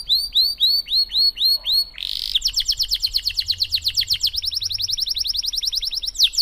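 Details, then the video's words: Cengkok Mewah song of a canary, played to encourage young canaries to learn to sing: repeated arched chirps give way to a brief harsh note and then a long rapid ticking trill. "Burung kenari gacor Cengkok Mewah durasi panjang cocok buat terapi kenari agar cepat bunyi gacor"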